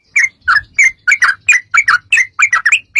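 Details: Yellow-vented bulbul singing, played to prompt other bulbuls to sing back; steady string of paired, gurgling liquid notes, about three per second, with faint low hum beneath.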